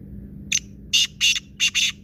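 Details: Kaala teetar, the black francolin, uttering a loud rasping phrase: one short clipped note, then four broad, scratchy notes in a jerky rhythm, over a steady low hum.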